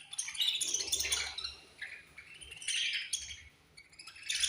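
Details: Budgies at feeding time in a colony, with loud bursts of sharp, squeaky chirps and warbling separated by short, quieter gaps, several birds calling over one another.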